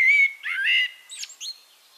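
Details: Singing Eurasian blackbird from Castricum, the Netherlands: a long level whistled note, a warbled fluty phrase, then two brief high scratchy squeaks fading into quiet.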